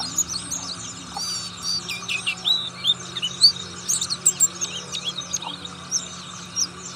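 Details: Buxtoni Oriental white-eye, said to eat all kinds of fruit, giving ngriwik song: bursts of sharp, high twittering notes and short slurred whistles, about one burst a second, with a faint constant hum behind.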